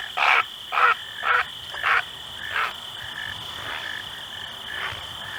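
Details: Great Blue Heron in the shallows in the morning, giving four loud, harsh, rasping croaks about half a second apart. Several fainter, shorter croaks follow, all over a steady high-pitched whine.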